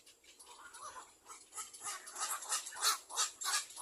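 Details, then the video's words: Little black cormorant chicks begging while they wait for their mother to feed them; harsh, raspy bursts start soft, then grow louder and come faster, roughly three per second. "Little black cormorant baby Birds release while waiting for their mother to feed."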